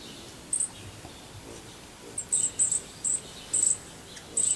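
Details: Feeding on sunflower seeds, an American goldfinch repeats short, shrill, high-pitched chips, one alone at first, then a run of six coming about every half second.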